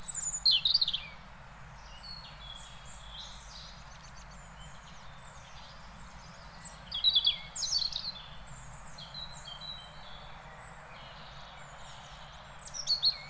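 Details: A European robin in the Netherlands gives three brief, high, jangling phrases of quick sliding notes. Each is separated by about six seconds of quiet outdoor background.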